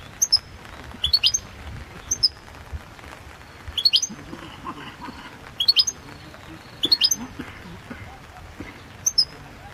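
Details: Balkan goldfinch, Carduelis carduelis balcanica, from a 2022 world championship song entry: short clusters of two to four piercing high notes spaced one to two seconds apart against a faint murmur.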